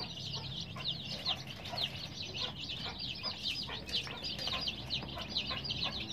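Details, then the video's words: Many colored baby chicks, cared for with veterinary help and heating, giving shrill descending peeps in a busy overlapping flurry, some faint clicks and a low background rumble. "Baby "Chicks Chirping" Sound"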